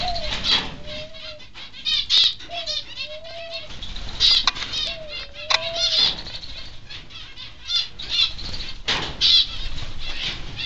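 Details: Peaceful Doves flapping about constantly inside a mixed indoor aviary, with irregular bursts of rustling wingbeats, a soft tonal cooing note that rises then dips and repeats three times, and busy high finch chatter throughout.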